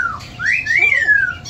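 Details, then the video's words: An indoor pet yellow-naped amazon parrot sings parts of Twinkle Twinkle Little Star, Somebody Like You and You Are My Sunshine: a clear, tuneful whistled phrase, a short falling note, then a long sweep that rises and slowly glides back down, in a quiet room. "the yellow-naped amazon parrot singing"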